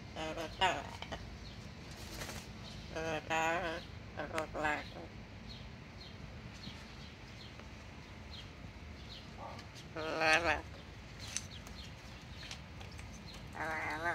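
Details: A pet yellow-naped amazon following its owner around while mumbling, in short, speech-like bursts with a wavering, voice-like pitch, separated by quiet pauses, with a few sharper squeaky notes.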